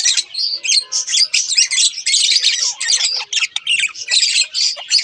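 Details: Budgerigar pair chattering nonstop: harsh squawky notes and quick scratchy chirps tumble together with barely any pause.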